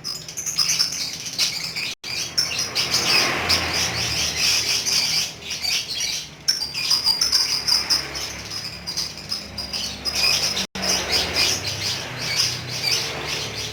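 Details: Pet lovebird in full ngekek chatter: a dense, fast, high-pitched stream of shrill chirps and rattles, running almost unbroken for the whole stretch with brief dips, over a faint steady low hum.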